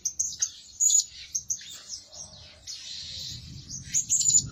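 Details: Blue-crowned hanging parrot lure bird, said to be busy calling day and night, utters thin, high chirps and a longer buzzy squeak over a low rumbling background.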